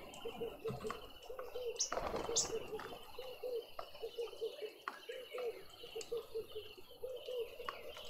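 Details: At daybreak in a suburban garden feeder in Pretoria, South Africa, a bossy black-collared barbet gives low, hollow notes in a steady rapid series, with higher chirps from other birds and a brief wing flutter.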